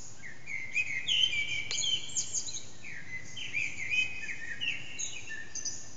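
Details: An unseen Eurasian blackbird sings at dawn, about 4:30am, in a backyard whose echo makes it loud, recorded with an HTC Desire phone: continuous flowing fluted phrases, sliding downward notes and scratchy high flourishes, densely layered.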